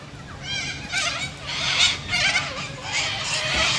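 Sulphur-crested cockatoos give loud, harsh, grating screeches in quick overlapping bursts, several birds calling almost without pause.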